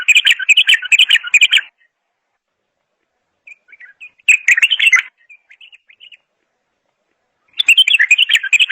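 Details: Bulbul song given in three loud bursts of fast chattering, warbled notes, each a second or more long. Quiet twittering notes fall between the bursts.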